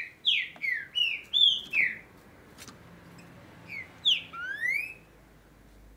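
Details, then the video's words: Brazilian green-winged saltator singing in the breeding and tournament season: five rich whistled notes in quick succession, each slurring down, then a pause and two more notes ending in a long rising whistle. "OS TRINCA-FERROS JÁ ESTÃO COMEÇANDO A CANTAR BEM AQUI NA REGIÃO!!!"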